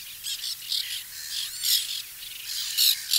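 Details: White-winged terns at a nesting colony, filmed in 2021: harsh, raspy squawks in short bursts about every half second, some louder and nearer, with a steady high hiss of further calling behind them.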